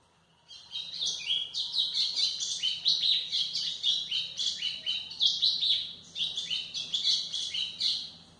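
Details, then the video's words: White-throated seedeater song used for tutoring young birds: a fast, continuous run of bright, chirping whistled notes with quick rising and falling slurs, steady for about eight seconds, with a faint low hum behind. "canto de golinha para foquear pássaros"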